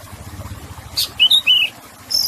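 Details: Oriental magpie-robin singing over splashing water, meant to prompt stressed or wild-caught birds to sing: a sharp burst, then three clear whistled phrases, the last rising, and a high thin note near the end above a gentle background hiss.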